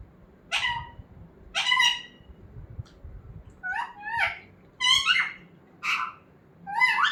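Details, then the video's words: Talking pet parrot, used as an example for teaching parrots to speak, uttering separate clipped, nasal speech-like syllables, two strong ones early, then a quicker run of rough chattering notes and short bursts over a faint room hum. "Talking parrot"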